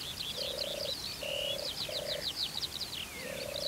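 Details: European turtle dove at a watering place in Turianchay Reserve, Azerbaijan, during courtship display: low purring, finely pulsed phrases repeated four times, overlaid by busy high chattering and trilling of other birds.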